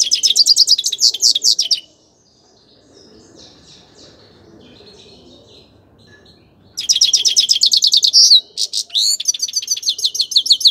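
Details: Grey-crowned goldfinch song: nearly two seconds of fast, high, jingling twitters, a long stretch of faint, quiet warbling, then another loud, buzzy, chattering outburst with sharp repeated notes.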